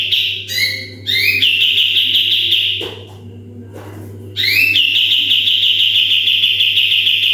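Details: Sooty-headed bulbul singing 'tembakan' style, a recording meant to train other birds: short chirps, then a rising sweep into a long rapid high trill, a brief quieter pause, and a second rising sweep into another sustained trill, steady low hum beneath.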